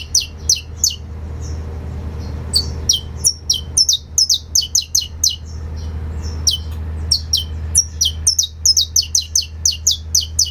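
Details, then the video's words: Saffron finch delivering canto fibra song, a long, lively series of sharp, high, downward-slurred chirps, often in quick pairs and clusters, with brief pauses and a soft whistled note between bursts, over a constant low background hum. "CANÁRIO DA TERRA CANTO FIBRA"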